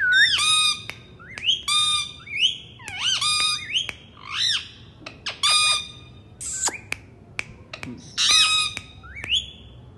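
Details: Pet ringneck parrot squawks almost continuously: loud, harsh, strongly harmonic calls, some rising then falling, coming in bursts with brief gaps and occasional clicks.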